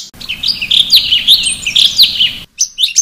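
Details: Training song of a sooty-headed bulbul in a ngeplong variation: a quick string of sharp, high chirps and slurred whistles, evenly paced, then a sudden break and a few more crisp notes.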